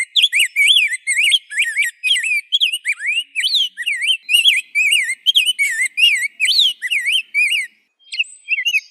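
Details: Continuous warbling song of a rose-breasted grosbeak, rich whistled syllables swooping up and down in fast succession for about eight seconds, ending in a short pause and a few faint notes.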